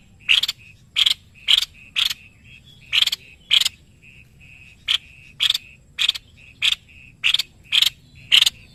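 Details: White-necked babbler repeating loud, sharp, ringing notes roughly every half to one second, about twelve in all, with faint even ticking in between.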